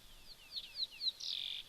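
A Diederik cuckoo gives a quick run of about five high, slurred whistled notes, each a little rising, ending in a louder, longer burst; faint background hum.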